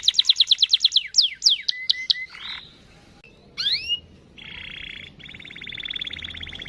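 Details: Canary song used to lure other canaries into singing: a quick series of whistled down-slurred notes, then sweeping swoops and two steady buzzy trills, with a low background hum.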